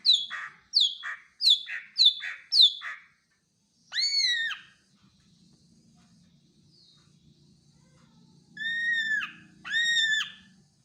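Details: Greater green leafbird calling: five quick harsh downslurred notes in a row, then slow, drawn-out, arched, nasal notes with strong overtones, and a low hum between them.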